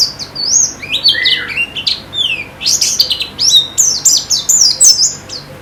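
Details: Chattering white-eye song, played as therapy for caged birds to sing more: rapid high twittering of squeaky rising and falling notes, dense and continuous, with no other clear sounds.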